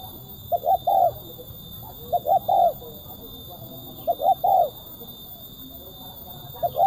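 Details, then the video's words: Spotted dove (tekukur) of the kuk 1 style, 2024 recording used to bring doves down: crisp, sharp, tightly spaced cooing, four phrases of two short notes and a longer falling coo, over steady electronic whine. "DI JAMIN TURUN, TEKUKUR SUARA MERSIK TAJAM,RAPAT //KUK 1//THN 2024"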